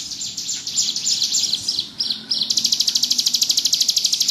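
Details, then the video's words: Ciblek gunung, the bar-winged prinia, in ngebrem song. Jumbled high chattering notes give way after a short break to an even, rapid, buzzy trill repeated several times per second. "Burung ciblek gunung gacor ngebrem"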